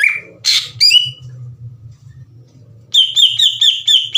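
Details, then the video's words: Greater green leafbird singing vigorously as a provoking lure: a few loud, varied whistled and harsh notes, a short pause, then a quick series of bright descending whistles about two per second, over faint low hum. "PANCINGAN CUCAK IJO GACOR CEPAT MENAIKAN EMOSI CUCAK IJO LAIN"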